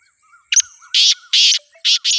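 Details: Black francolin giving a short sharp note followed by three loud, harsh, rasping bursts. A soft wavy whistle from another bird runs underneath.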